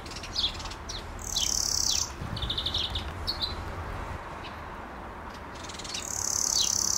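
European greenfinch giving drawn-out, nasal buzzy wheezes at the start and end, with short high twittering chirps between them.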